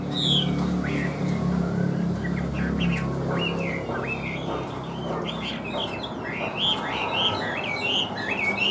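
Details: Caged Chinese hwamei, said to sing well with an even voice while flicking its wings, gives a steady stream of short whistled, slurred notes that rise and fall several times a second, over a low background hum.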